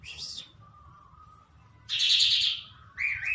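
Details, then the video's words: Open-air singing from a trained lark that perches tamely on the hand: brief high chirps, then a dense burst of bright twittering and a final warbled phrase, separated by short quiet gaps. "A trained lark bird singing open and hand tame"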